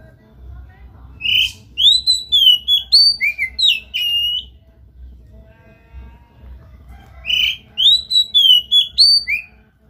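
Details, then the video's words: Oriental magpie-robin giving two bursts of loud song separated by a pause of several seconds, each a quick series of sweet, slurred whistles that rise and fall, roughly seven to nine notes per burst. "JANGAN BIARKAN KACER ANDA MEMBISU pacing DENGAN KACER GACOR INI"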